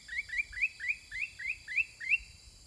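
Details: Sooty-headed bulbul (Pycnonotus aurigaster) in counter-song with wild birds: a quick run of eight short, bright upslurred chirps, about three per second, steady in pitch; little else audible.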